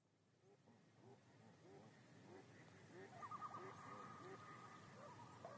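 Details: Common Loon on Yellowstone Lake giving a tremolo: a rapid, quavering, laugh-like wavering note lasting over two seconds, over a steady babble of lower repeated calls.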